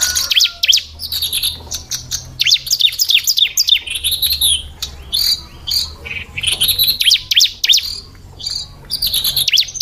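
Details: Female ciblek (bar-winged prinia) calling in fast, uneven bursts of high chips and downslurred twitters, with a faint low hum underneath.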